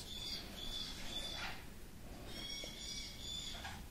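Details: Three-week-old pineapple conure chicks give thin, raspy, high-pitched begging notes in two drawn-out bursts over a steady low hiss of background noise.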